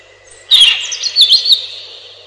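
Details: Robin song: a burst of rapid high warbling at half a second, running into fluttering twittered notes that slowly fade into a thin sustained tail.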